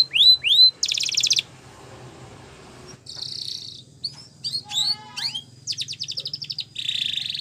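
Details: Canary singing in a recording meant to train canaries to sing: short whistled slurs and a buzzy burst, a quiet pause, then scattered rolls, sweeps and dense buzzy trills resume.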